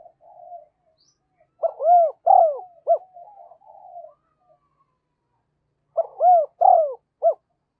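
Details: Decoy spotted dove in rapid calling and cooing to attract wild doves: two loud phrases of three hollow, throaty coos each, separated by soft low murmurs and a short silence.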